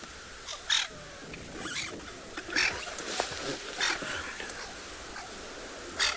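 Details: A francolin alarm-calls low down in bush on a morning game drive in a South African private reserve, 12 July 2021, with impalas nearby and a leopard suspected: four harsh, rasping bursts about one to two seconds apart, faint voices behind.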